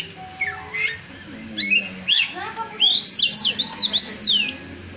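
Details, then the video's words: Oriental magpie-robin song opening with a few scattered chirps, then a clear series of loud, fast up-and-down whistled slurs repeated in quick succession, with quiet low background noise. "Suara kicauan burung kacer"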